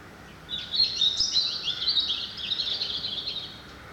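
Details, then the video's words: Unknown morning bird singing at dawn by an open window, a continuous rapid high twittering trill lasting about three seconds, rich and warbling with fast pitch changes, over soft steady background noise. "Утренняя птица поет на заре у моего окна"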